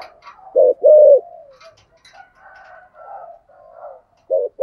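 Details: Spotted dove used as a decoy bird, singing in the local 'giọng thổ' voice style with 'thúc' and cooing calls: low, husky paired coos, the second note longer and slightly falling, with softer murmuring coos between.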